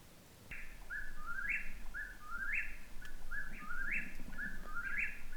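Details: An Eastern whip-poor-will at a wilderness campsite in Woodland Caribou Provincial Park, Canada, late in the day, repeats its whistled three-part song about once a second, rising sharply at the end, over a steady low rumble.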